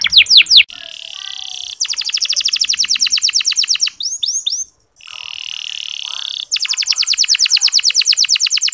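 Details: Local canary song from Indonesia used as a singing lure for male canaries: a few quick falling whistles, long even mechanical trills of rapid notes, a short cluster of curving notes, and a brief pause before another trill.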